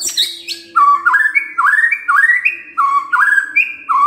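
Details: White-rumped shama (murai batu) singing as a pancingan lure that shows off its repertoire. A rich series of rising, looping whistles repeated several times a second, opening with a higher, harsher burst of notes.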